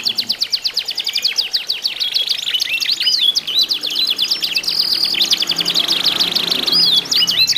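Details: Canaries in a singing contest, meant to prompt other canaries to sing, produce a dense, unbroken stream of high rapid trills, buzzy rolls and sweeping chirps overlapping throughout, with faint low background noise.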